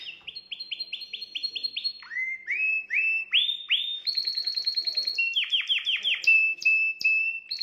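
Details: Canary song meant to excite a female: fast rolling trills of identical rising notes, switching to new phrases at different pitches, with high tinkling notes above and a sustained whistle near the end.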